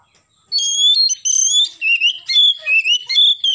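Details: Morning song of an oriental magpie-robin, delivered in gacor nembak fashion: a fast unbroken stream of clear whistles sliding up and down, with short slurred notes roughly every half second.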